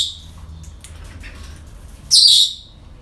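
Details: At a breeding centre on an ordinary day, faint rasping parrot calls lead into one loud, harsh, sustained screech about half a second long, fading afterwards.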